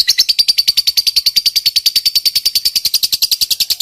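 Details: Lovebird singing a long ngekek trill meant to provoke other lovebirds and make quiet birds answer. A fast, regular stream of high, shrill, buzzy notes, close to seven every second, unbroken to the end.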